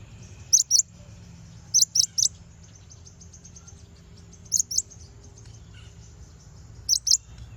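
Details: Konin bird song used as a lure to provoke rival konin into singing, with very high, thin chirps in short bursts of two or three notes, separated by pauses of one to three seconds, over a faint low hum.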